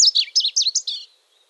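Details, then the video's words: Song of a varied bunting, a bunting of arid country: a short burst of six sweet, whistled slurred phrases in about one second, ending in a trailing buzzy note. "Varied Bunting Song"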